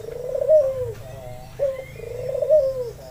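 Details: Red-eyed albino white Barbary dove used as a calling lure for other doves. Soft, throaty coos: a long wavering purr that rises then sags, followed by a brief accented note, repeated twice, with a faint rising whistle from another bird.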